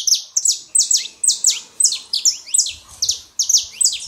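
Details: A Saffron finch pair, male and female, singing to warm up a quiet canary; loud, evenly spaced high chirps that drop sharply in pitch, about two to three each second.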